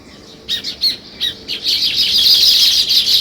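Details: A few separate sharp sparrow chirps, spaced roughly a third of a second apart, soon swallowed by a continuous loud chattering flock.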